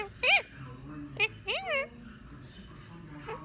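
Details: A 3-year-old male Indian ringneck (rose-ringed) parakeet, learning new words, talks in four quick bursts of high, buzzy, warbling speech-like syllables over about three seconds, against a low room hum.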